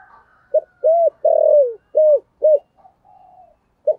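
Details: Lure cooing of a spotted dove, 'giọng thổ' voice style, meant to attract wild birds; one phrase of soft hollow coos, short, then a longer drawn-out note sliding down, then further short coos, with a faint whistle in the background.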